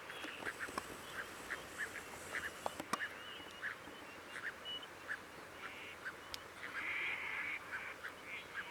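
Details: Crested duck (Lophonetta specularioides) gives short, nasal, mid-pitched calls about twice a second, then a longer, harsher note near the end, over steady wind or water hiss; recorded 18 June at the Río Coyle estuary, Santa Cruz, Patagonia, Argentina.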